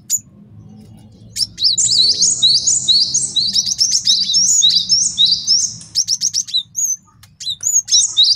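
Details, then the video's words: Long continuous buzzy, chattering trill by a male cinereous tit, used as a training and lure master, breaking into scattered sharp high chips toward the end. "MASTERAN GELATIK BATU JANTAN BAGUS BUAT MIKAT DAN MASTERAN BURUNG JAWARA"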